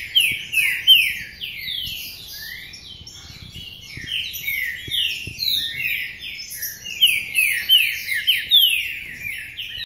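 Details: Caged, covered green-winged saltator in full Paraná-style song: fast chains of sweeping whistled notes, loud at the start, a softer stretch in the middle, then another energetic burst of overlapping phrases.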